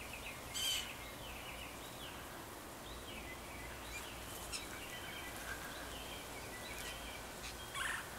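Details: Limpkin, likely male, in Greenacres, Florida, on 24 May 2015, calling with harsh, ragged wails: a loud burst at the start and another near the end, with fainter wavering cries between over steady background hiss.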